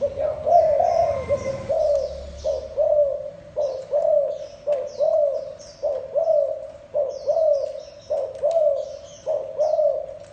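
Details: Spotted dove cooing in a long rhythmic run: low hooted notes repeated roughly once a second, each rising slightly then sagging, while thin high chirps from small birds flicker above.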